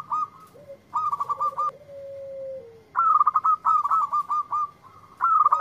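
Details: A local zebra dove, calling back to a lure, delivers fast stuttering runs of bright notes, a long lower whistle that sags downward, then further quick bursts of repeated clipped notes.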